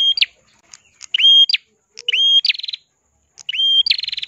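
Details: Ashy tailorbird song recorded as a tutor for other songbirds: loud upward-swooping whistles, each followed by a descending string of fast pulsed notes, repeated in quick phrases.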